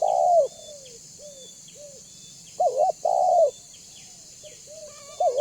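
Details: Spotted dove (tekukur), banggo type, used to entice other doves to answer and come near; long low coo, a few soft short coos, then a loud double coo phrase, with faint high chirping behind.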